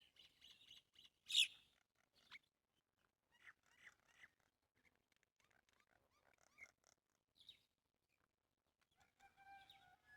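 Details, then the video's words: Birds chirping outdoors: scattered short, high chirps and twittering notes in irregular bursts, one sharp loud chirp early on, several voices mixed, separated by quiet gaps with a still background. "birds chirping outside"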